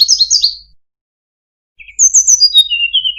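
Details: Varied song of the Sunda robin, used to train cage birds: a burst of high sliding chirps, a second of silence, then a short low note and a string of whistles stepping downward.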